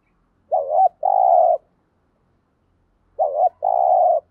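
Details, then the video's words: Spotted dove of the thổ voice type, cooing to stimulate decoy doves: two identical low phrases about three seconds apart, each a quick double note followed by a longer even coo. "tiếng chim cu gáy kích bổi hiệu quả mỗi ngày. bổi nghe gáy theo"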